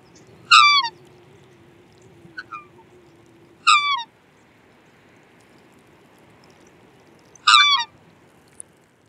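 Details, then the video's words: Black swan (Cygnus atratus) gives three high, bugling trumpet notes, each dropping slightly in pitch, about four seconds apart, with a softer note between and a low hum behind. "Black Swan Bird Call/Song"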